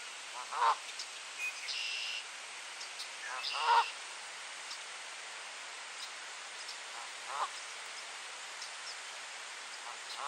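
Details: Goose giving warning honks on a rainy April morning at 9:13 in Sainte-Adèle, Quebec, Canada, 10°C with light rain; three separate harsh honks spaced seconds apart, with a steady hiss of rain in the background.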